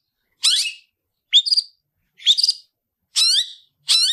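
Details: Gacoran cendet, a long-tailed shrike, singing 'tarung ngalas' fighting song for tutoring: five scratchy upslurred notes spaced just under a second apart in clean quiet.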